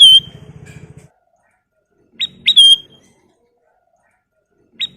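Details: Ruby-throated bulbul singing at full volume, a recording meant for tutoring and luring birds: a held whistle fades out, then after a pause two sharp rising notes lead into a ringing whistle, and one more upswept note follows later, with a faint low rumble.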